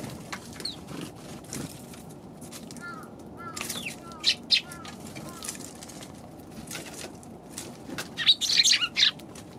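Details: Eurasian tree sparrows on December 29, described as lively as the year ends; busy, irregular high chirps come about three per second, with a few lower, short descending notes and a faint murmur of background noise.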